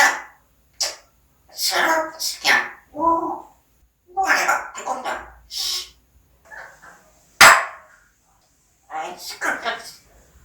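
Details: Talking parrot indoors: rapid sequences of mimicked syllables, one abrupt sharp click, then more garbled speech-like phrases.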